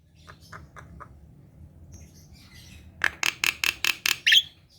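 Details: Black-winged myna, a kept bird, singing to provoke lazy birds of its kind into song: a few faint short notes, a pause, then a loud run of six harsh, buzzy, evenly spaced bursts.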